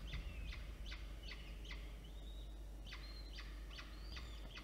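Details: Peregrine falcon chicks, one older and one younger, beg during a feeding by the adult female at a nest in Orange, New South Wales, 9 October 2022. Short, sharp, high squeaks repeat about twice a second with a brief drawn-out whistle, over low hum.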